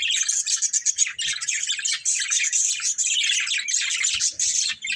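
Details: Continuous high, scratchy warbling chatter from a breeding pair of budgerigars, busy and unbroken throughout.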